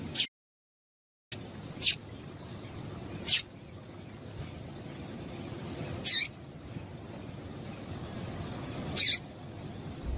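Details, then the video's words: Calls of a female double-collared seedeater, played to make males sing: isolated short, high, abrupt chip notes roughly every one to three seconds, with a brief gap of silence near the start and soft background noise. "Piado de Fêmea de Papa capim Para Esquentar papa capim"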